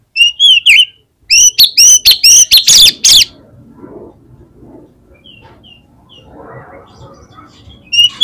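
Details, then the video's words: Oriental magpie-robin singing strongly, played to prompt other magpie-robins to sing. Two bursts of loud, rapid, ringing whistles fill the first three seconds, followed by a quiet stretch with soft rustling before the whistling briefly resumes. "PANCINGAN KACER GACOR INI"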